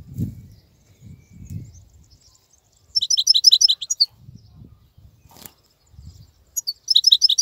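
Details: Khalawi European goldfinch singing during the molting season; two bursts of fast high twittering separated by low muffled thumps and rustling, with a brief click in between.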